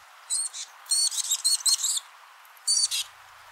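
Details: A female Black-capped Chickadee gives broken dee calls, a female-only courtship call used from nest cavity completion through early incubation, often with wing quivering and prompting male feeding: short, high, clipped notes in quick irregular clusters, with a brief pause before a final pair.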